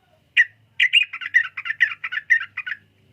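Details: Sooty-headed bulbul giving one sharp opening note, then a quick run of about a dozen rich, warbling chatter notes that slightly descend in pitch, clean and close.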